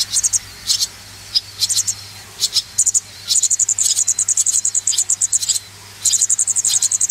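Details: Swallow nestlings being raised, begging with very high, rapid trilling peeps that run in long fast sequences, broken by short gaps.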